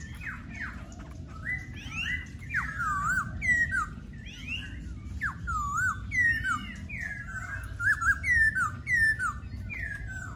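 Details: Laughingthrush pouring out a long, rambling song of swooping, slurred whistles, many notes dropping sharply then curling up, delivered in quick clusters over steady background hiss.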